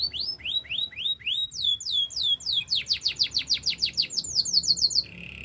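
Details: Canary singing repeated rising whistled slurs that quicken into a rapid trill, ending on a low buzzy roll.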